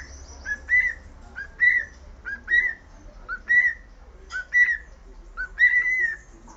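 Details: Pet cockatiel whistling the Sport club anthem: clear whistled phrases, each a short low note sliding into a longer, higher warbled one, repeated roughly once a second with brief pauses between, over faint low background hum.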